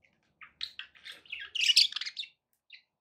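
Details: Pet budgies build from soft, buzzy chirps into a brief, loud, grating warble, then fall quiet except for one final faint note.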